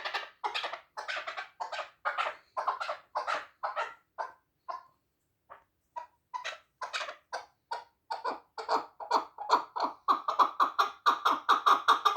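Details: Hunting chukar partridges from Rasht giving a long series of harsh, repeated clucking notes with a short pause midway, then speeding up and growing louder toward the end.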